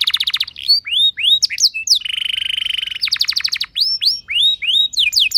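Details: Energetic canary song meant to set other canaries singing: a fast trill, clear upswept whistles, a steady buzzy rattle for about a second, then more rising whistles and rapid note bursts.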